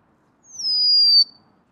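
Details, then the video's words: Golden-crowned sparrow giving one sustained, pure whistle that dips slightly from its start and swells before cutting off sharply, with near-silent surroundings. "Natural Birds Voice, Bird Natural Sound.Golden crowned Sparrow."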